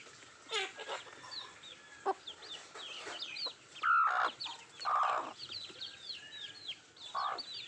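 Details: Nattu kozhi eating: high downslurred peeps run throughout while several louder, lower, drawn-out calls break in, roughly one each second or two.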